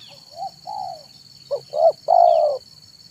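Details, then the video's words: Zebra dove song in the afternoon for luring wild doves: two soft opening coos, then a louder phrase of quick coos ending in a long trilling coo; a faint brief chirp and steady high hum. "SUARA BURUNG TEKUKUR MANGGUNG DI SORE HARI"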